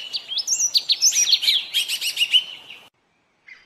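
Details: Yellow tit song recorded in Bogor: a quick tumbling series of high whistles and twittering chirps for about three seconds, then silence and a faint final note.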